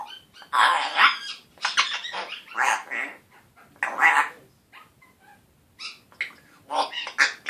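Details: African grey parrot turning one year old, saying its first words such as hi and hello with a rough voice: repeated harsh breathy syllables separated by short gaps, some faint thin tones between.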